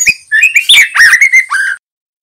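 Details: Juvenile male white-rumped shama in energetic gacor singing, used to tutor young birds: a quick run of clear whistled notes sliding up and down, ending in a falling slurred whistle, then silence.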